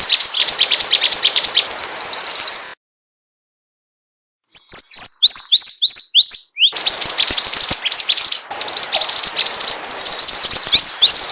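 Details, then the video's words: Pied triller song used to lure other birds: dense, rapid high chirps and short rising whistled notes repeated many times per second, a brief silent break, then a busy run of sharp notes with quieter chirping underneath. "SUARA PIKAT MASTERAN BURUNG MANTENAN GACOR"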